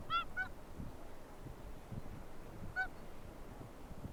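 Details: A Whooper Swan at Akureyri, Iceland on 5 April 2020 gives three loud, bugle-like honks, two close together and a third after a two-second pause, over a steady rumble of wind.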